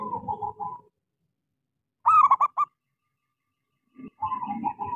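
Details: Local zebra dove singing as a lure for silent doves: rolling purring coos at start and end framing a loud burst of stuttered notes, over low rumbling background noise.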